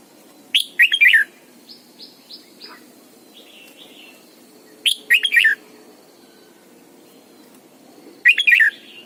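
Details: Red-whiskered bulbul singing in the morning as a lure to train other bulbuls: three bright, quick warbled phrases spaced about four seconds apart, with softer thin whistles between them.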